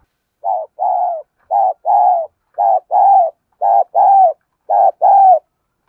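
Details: Caged decoy spotted dove cooing in the 'thổ' voice style to draw wild rivals into a fight: five paired phrases, each a short hoarse note followed by a longer falling coo, repeated about once a second.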